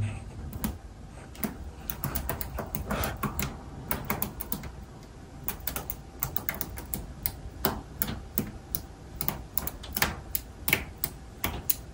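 Sharp, irregular tapping clicks like typing fill a quiet indoor room, with no clear animal voice.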